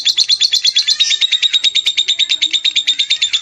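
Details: Lovebird from Palembang, Indonesia, delivering a shrill, rapidly repeated chattering trill of harsh notes, evenly pulsed throughout, loud and close.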